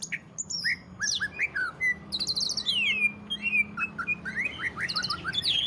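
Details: Song of a greater green leafbird in the 'ngentrok' style, used to stimulate other leafbirds: short rising whistles alternate with very high twittering bursts and downward slurs, with steady low hum behind.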